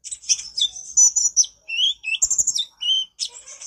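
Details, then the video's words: Konin singing gacor nyrecet style, recorded as a master for training birds: high buzzy trills alternating with clear lower whistled notes, in rapid bursts separated by brief gaps. "Masteran burung konin gacor nyrecet cerewet"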